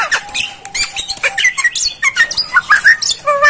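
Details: Javan myna used as a tutor for training caged mynas: varied squeaky whistles, bending notes and short scratchy chirps delivered in a fast, irregular run.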